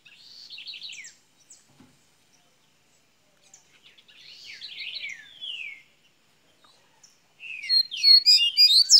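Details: Golinha-style song of a double-collared seedeater from Minas Gerais: a buzzy rolling phrase, a pause, a second rattling descending phrase, then a loud burst of rapid sharp high notes at the end.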